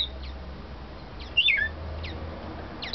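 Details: A male scarlet-chested (splendid grass) parakeet sings a few soft, high chirps and one brighter, quickly falling twitter, over a steady low hum.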